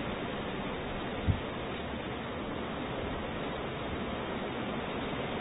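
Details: Steady rushing background noise throughout, with one soft low thump just past the first second and no animal voice.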